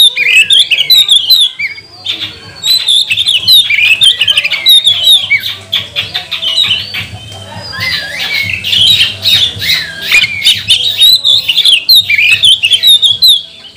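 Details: Kacer (Oriental magpie-robin) singing as a lure to rouse rival birds into song and tail spreading; long nonstop medley of fast whistles, squeaky slurs and harsh notes, loud throughout.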